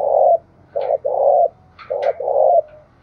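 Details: Wild spotted dove in Đồng Nai's mountain forest, where 'gáy thúc' and 'gáy gọi' cooing are heard. Five deep, resonant coo notes come in two groups. The longer notes end with a slight upward lilt, and faint chirps sound in the background.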